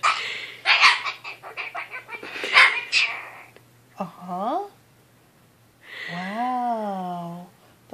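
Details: A pet Goffin's cockatoo gives its weekly bedtime "lecture": a rapid run of harsh, scratchy syllables, then two rising and falling voice-like calls, while its owner talks back to it.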